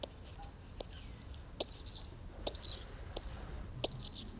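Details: Baby pigeon being cuddled, giving thin high whistled squeaks, each a short level or slightly wavering note, about six in four seconds, with soft clicks and handling rustles between them.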